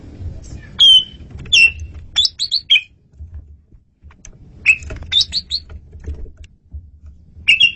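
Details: Loud, clear song of an Asian pied starling, used for luring: slurred downward whistles alternating with clusters of quick high chips, repeated through the stretch over a low background rumble.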